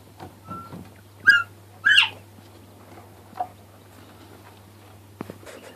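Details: Northern bobwhite giving a call of two loud whistled notes about half a second apart, the second sweeping sharply upward, over a low steady hum and a few faint rustles.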